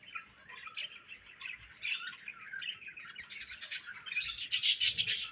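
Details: Budgerigars chirping: dense, scratchy warbled chatter with rapid high twittering notes, building louder and busier toward the end.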